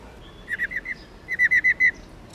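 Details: Female black-throated laughingthrush of subspecies lugens calling 'ro ro' to spur males into song. Two quick bursts of short, buzzy notes, the second run louder and longer, over faint steady background noise.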